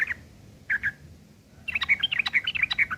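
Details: Rough chattering ngeriwik from a sooty-headed bulbul, tutor song for long-tailed shrikes: two isolated husky chirps, a pause, then a fast tumbling chain of sharp, varied notes.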